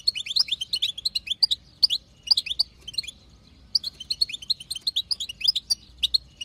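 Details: Female European goldfinch, wild-type, in bitbita chatter meant to make the male sing: quick bright tinkling chirps packed into repeated bursts with short silent gaps between them.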